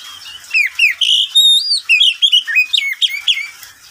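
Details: Pet Oriental magpie-robin singing in the daytime, a rich, varied run of clear whistles, slurred upward and downward notes and quick chirps, several notes per second with no other sounds.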